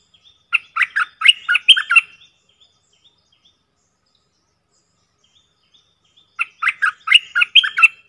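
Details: Bulbul decoy calling in a real forest setting, one of four decoy birds: two separate bursts of rapid, bubbly chattering phrases, each about a second and a half long, separated by several seconds of quiet.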